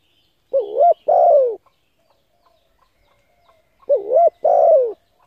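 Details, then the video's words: Cooing of a spotted dove, played to excite decoy birds. Two mellow phrases about three seconds apart, each a brief wavering note followed by a drawn-out falling coo. Faint soft clicks come in between. "Tiếng cu gáy hấp dẫn đủ bài thúc gù gáy gọi kích mồi tập bổi"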